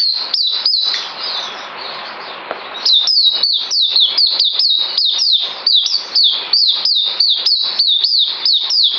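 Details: White-eye recorded 9 December 2018, giving a few high whistles, then a quieter two-second gap, then a long brisk run of sharp down-slurred notes.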